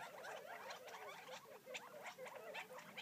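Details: Feeding wild Gambel's quail near Florence, Arizona, heard as a crowded chatter of short chirps, a few sharper upward-flicking notes standing out from the constant soft murmur.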